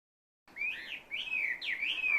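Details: Unidentified bird whose call is likened to the word "barbecue": three clear whistled phrases in quick succession, each rising then dipping and sliding, fairly high-pitched, against faint background noise.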